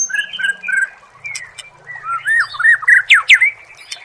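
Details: Murai songbird in a training recording for songbirds: varied whistled phrases, some rising and falling slurs and sharp upward sweeps, delivered in quick succession, with a faint low hum underneath.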